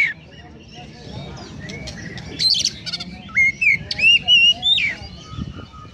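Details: Oriental magpie-robin singing a konslet-style song filled with imitations of sparrow calls. Bright whistled phrases rise and fall, mixed with rapid bursts of sharp chips and short buzzy notes. Faint low background rumble.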